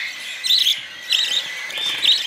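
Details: Budgerigar chicks being hand-fed with a bent coffee spoon and syringe, giving raspy, harsh begging calls in three bursts about half a second apart, with a steady high hiss underneath.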